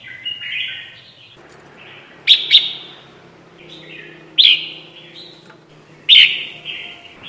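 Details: Lure call of red-whiskered bulbul for trapping: sharp doubled chirps about every two seconds, softer slurred whistles between them, over a low steady hum.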